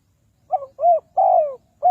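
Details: Lure spotted dove for trapping wild birds, Ninh Thuận: a soft double note, a rounded coo, then a long falling coo, with the next phrase starting as it ends, all low-pitched and close.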